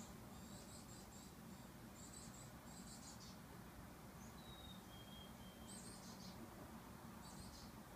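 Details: Chickadee mother feeding her baby; faint, very high, hissy chick bursts in short runs, with one thin, steady whistled note in the middle, over a low steady rumble.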